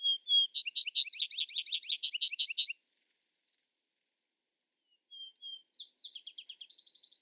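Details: Vesper sparrow with a full song of slurred whistles and a fast, even trill of bright notes, then silence for over two seconds before a second song begins with two whistles and a softer, quicker jingle.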